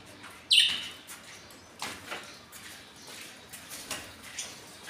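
A parrot gives one brief, harsh, high screech, followed by faint scattered clicks and rustles.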